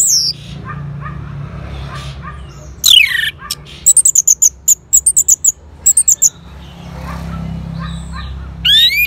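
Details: Orange-headed thrush answering a lure: a downward-sweeping whistle, then a rapid series of short, very high ticking notes, with fainter calls and low hum between.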